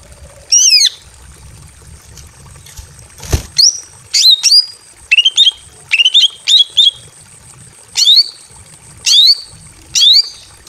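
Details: Greater green leafbird female in breeding condition, kept in a simple aviary and calling a male, utters sharp slurred whistles singly and in pairs at irregular intervals; one loud click sounds early on.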